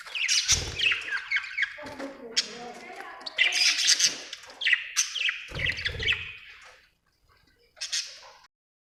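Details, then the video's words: Budgerigar chirping: dense bursts of scratchy, warbling chirps and squawks with fast twittering runs, pausing briefly between phrases, then a short final burst after a near-silent gap. "budgie chirping sound"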